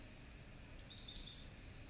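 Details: High, sparkling twittered phrase from a serin crossed with a goldfinch: rapid bright notes in a short run over a soft, steady background hiss.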